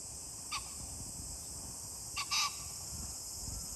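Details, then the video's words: Green pheasant call recorded 21 July 2024: one abrupt harsh note, then a quick doubled burst near the end, set against a steady shrill high drone and faint low rumble. "pheasant call ,キジ ,꿩"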